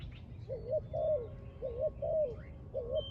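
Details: Spotted dove at a trap giving close, clear coos: a wavering double note followed by a longer descending coo, repeated twice and starting again, with a faint low hum.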